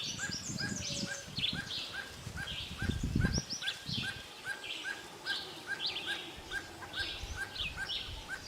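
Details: Barbet calling in the forest: a steady series of short, hollow mid-pitched notes, about three per second, running through the whole recording, with busy high chirps and twitters from other birds and low rumbling noise early on.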